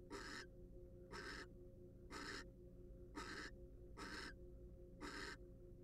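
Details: Wild barn owls in a monitored nest box. Harsh, breathy hissing screeches, each under half a second, repeat about once a second, with a low steady hum underneath.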